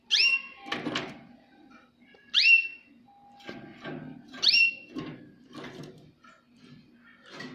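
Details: A Jaspe canary sings bright, high whistled notes that sweep downward about every two seconds, between softer chirps, clicks and rattles over a low indoor hum.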